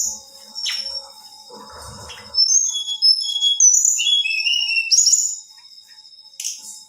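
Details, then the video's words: Female black-winged flycatcher-shrike singing to provoke males: after a quiet start with a few faint notes, a run of high, thin whistled notes slides up and down in quick succession, then a short sharp note near the end. "SUARA TLEDEKAN BETINA GACOR"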